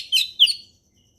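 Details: Orange-headed thrush in the forest, ngeplong song style: two brief high bright whistled notes, each slurring downward, about a quarter second apart, then silence.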